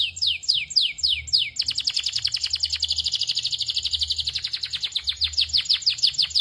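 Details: Belgian canary singing at length: opens with a few descending whistled sweeps, then a fast rolling trill of rapid repeated notes, steady and continuous, with a shifting chattering series near the end; faint low rumble beneath.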